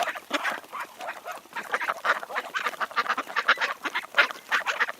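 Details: Several wild ducks quack together in a dense, overlapping chorus of rough nasal calls that runs without pause, some quacks louder and closer than others.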